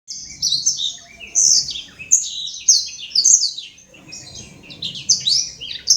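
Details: Imported black-throated canary, kept caged in Legian Kelod, Kuta, Bali, singing vigorously: rapid high twittering phrases with quick buzzy trills and sharp chirps, broken by brief pauses around two and four seconds, over a faint low room hum.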